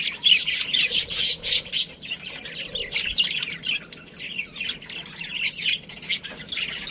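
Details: Budgerigar colony including a breeding pair: rapid high chirping and squawks, about four notes a second, loudest early then steadier chatter from several birds.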